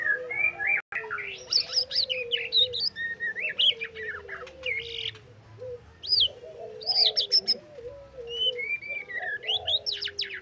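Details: White-rumped shama singing trotol full isian: a steady stream of varied whistles, sweeping upslurs and sharp chattering phrases, with brief pauses and a constant low hum with soft gliding tones underneath.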